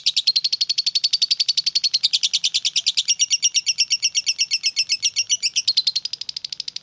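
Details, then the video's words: Rapid ngetik chatter from a lovebird: a loud, continuous burst of quick, harsh chirping notes, trailing off into softer ticks at the end. "Suara Burung Lovebird Ngetik"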